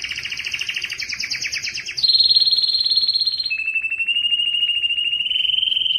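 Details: Canary song played so that males will sing, a double-toned rapid trill, then a steady high rolling tour dropping in two steps to a lower sustained whistle.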